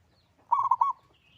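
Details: Local zebra dove, a loud, actively singing bird, giving one short cooing phrase of about three rolling, mellow notes that ends quickly, followed by near silence.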